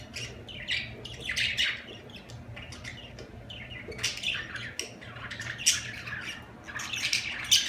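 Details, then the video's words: Budgerigar chattering in bursts of scratchy, warbling chirps and squawks with brief pauses, a low constant hum underneath. "اجمل تغريد في العالم طيور الحب البادجي"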